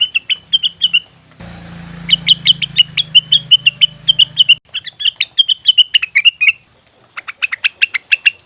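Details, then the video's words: Cucak wilis (leafbird) lure call meant to bring wild birds in: rapid runs of sharp chirps, briefly covered by a low rumbling noise, then resuming as quick bright bursts to the end. "pancingan burung cucak wilis/rengganis dijamin langsung bunyi"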